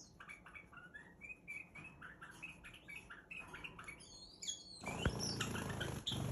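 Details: Quick, chattering chirps from a pet Iraqi bulbul at play, several per second at mid-high pitch, then a burst of rustling and flapping noise near the end.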